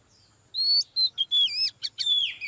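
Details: Oriental magpie-robin, a female drawing a male into excited song. Silence, then a short burst of clear whistled notes, some rising and some falling, mixed with quick scratchy chips, each phrase varied.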